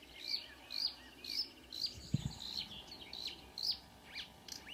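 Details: Early-morning song of marsh warbler, recorded at 05.00 on 2 June 2009 near Ski, Norway, with two singers about; high chirps and twittered notes in loose series, and a soft low thump midway.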